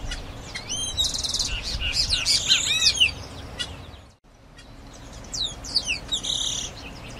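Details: Grayish baywing (Agelaioides badius) singing two bursts of bright, high chirps, quick slurred whistles and buzzy rattling notes in rapid, jumbled succession, split by a sudden brief silence, over a faint low background rumble.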